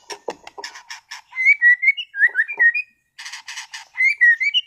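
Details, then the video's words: Caged competition-class white-rumped shama from Sragen, singing actively with bursts of material: clear whistled notes gliding near mid pitch, mixed with sharp dry clicks and chattering bursts, phrases separated by brief pauses. "MURAI BATU TEMBAKAN ISTIMEWAH gacor bongkar materi kelas lomba"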